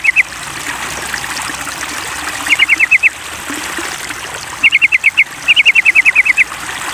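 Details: Sooty-headed bulbul in a recording used to lure the bird into singing: a brief pair of notes, then three rapid series of clipped, repeated notes, the last and longest about ten notes, over a trickling-water background.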